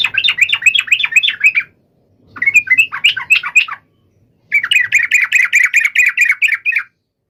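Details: Sooty-headed bulbul singing to summon a rival: three steady runs of evenly repeated, bubbling chattery notes, the last run especially regular, with short silent gaps between.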